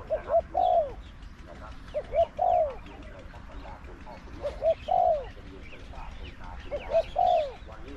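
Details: Decoy spotted dove in Thailand calling against a wild dove, its voice described as small to medium: steady repeated coo phrases, two quick soft notes then a drawn-out downward-sliding coo, four times over eight seconds, with faint background chatter.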